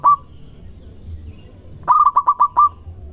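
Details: Local zebra dove song meant to lure other doves into answering: a single short coo, a pause, then a phrase of six quick rhythmic coo notes, with a low background hum throughout.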